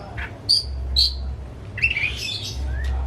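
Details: Home-kept white-rumped shama singing as a lure for another shama: a few short sharp high notes, then a scratchy chattering burst and a soft rising whistle, over low background hum.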